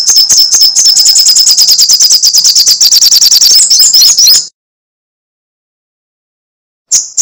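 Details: Sunbird, called kolibri sogok ontong or srigati, in lively crecetan style: a dense, rapid stream of very high, sharp chips about three per second for four seconds, then silence and a brief final burst.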